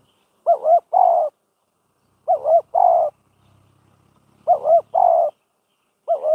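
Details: A decoy spotted dove calls during trapping training. Soft two-part cooing phrases repeat about every two seconds. Each phrase has a quick wavering double coo followed by a longer, slightly falling coo. The background is quiet.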